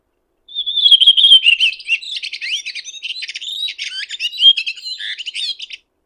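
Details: Song of a red-throated thrush in nature: a drawn-out whistle sliding slightly down, followed by a long, varied, rapid twittering of chirps, buzzes and sweeping notes, over five seconds in total.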